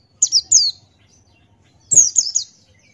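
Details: Buxtoni white-eye, a male, in ngalas-style song: two sharp descending high chirps, a pause, then a rapid run of three slurred, falling notes.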